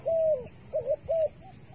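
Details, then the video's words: Bait dove for trapping giving a long level coo that drops at the end, followed by a wavering short note and another coo, with faint higher bird notes behind. "The five videos of the dove bait are really good to wa"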